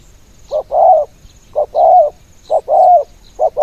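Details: Spotted dove kept as a ground decoy, singing in the khan yon style to lure other doves: hoarse two-part coos, a short note then a longer one, about once a second, over faint high insect chirping.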